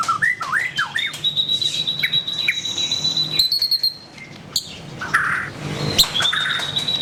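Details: White-rumped shama song with looping up-and-down whistles at the start, scattered short notes, and long thin high whistled tones held steady, with a faint background hum.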